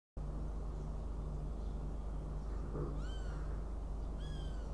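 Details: Northern goshawk in Riga on 29 June 2016 gives two drawn-out, downslurred, nasal calls rich in overtones, about a second apart near the end, over a steady low hum and constant background noise.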